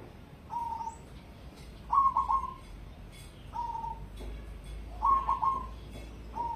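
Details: Zebra dove of the cemani type, bred to competition grade, alternating single short low coos with louder rolling phrases of clipped notes trailing into a steady coo, repeated roughly every one and a half seconds.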